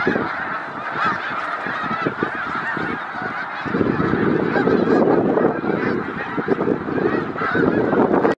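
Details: A large migrating flock of snow geese at Victoriaville, Quebec gives a dense, overlapping clamour of nasal, yelping honks that rises in intensity after a few seconds with no clear pause.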